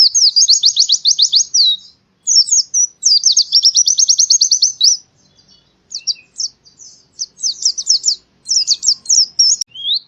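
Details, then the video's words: High white-eye (pleci) song as heard in the forest, Central Java, Indonesia, made to train caged birds: long fast trills broken by short gaps, followed by jumbled twittering phrases and sharp chirps, nearly continuous and free of other sounds. "masteran burung pleci suara seperti di hutan"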